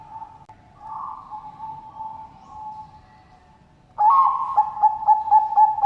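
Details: Zebra dove of the Bangkok type, kept in Indonesia, giving low mellow cooing: a soft wavering coo for about three seconds, then a louder rapid series of short clipped coo notes after a pause.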